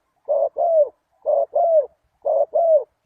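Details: Spotted dove call used as a lure for wild doves: three soft, low paired coos, a short note followed by a longer, slightly falling one, repeated about once a second against a quiet background.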